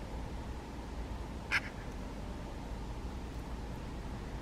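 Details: A single brief, rasping note from a Eurasian magpie feeding on rowanberries and calling to the filmer, set against quiet low background rumble.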